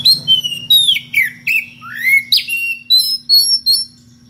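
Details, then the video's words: Magpie-robin (kacer) in ngeplong style calling a rival with odd vocal variations. It gives around twelve crisp whistled phrases in quick succession, mixing falling slurs and rising sweeps, fading quieter near the end, with a faint hum below. "SUARA KACER NGEPLONG MEMANGGIL LAWAN DENGAN VARIASI SUARA ANEH"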